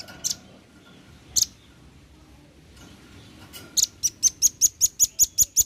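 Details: Lure call of a vigorous male velvet-fronted nuthatch summoning companions: a few scattered sharp chips, then a fast, regular string of about ten high, thin notes near the end.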